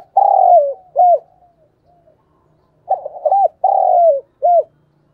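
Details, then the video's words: Spotted dove decoy call used to lure wild doves for trapping, in the 'thổ' voice style. Two low, mellow cooing phrases, each a short doubled coo, then a long drawn-out slurred coo and a final clipped hooked note, with a pause between; otherwise quiet. "Chim cu gáy gọi || tiếng chim cu gáy mồi chuẩn cực hay dùng kích bổi"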